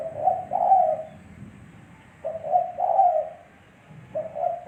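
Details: Spotted dove cooing as a lure sound: low, rough two-note phrases repeating about every two seconds over a faint low rumble in the background.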